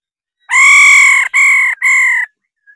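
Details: Female laughingthrush giving its 'ro ro' call: three loud, harsh, buzzy notes, the first held almost a second and the next two shorter, with a brief gap between each, against a silent background.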